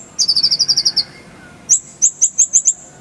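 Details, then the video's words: High, rapid rattling trill of about ten sharp notes from a Van Hasselt's sunbird, then after a pause a string of separate piercing whistled chips, part of a clear-voiced 'roll tembakan' tutor song for training songbirds. "Masteran Kolibri ninja full isian, Roll tembakan Suara jernih"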